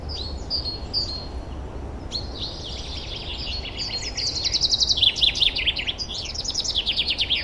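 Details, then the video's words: Forest birds in spring, 2023, singing in the wild: short whistled notes give way to loud, fast, buzzy trills repeated in bursts, with other birds calling faintly behind steady low hiss. "Пение лесных птиц"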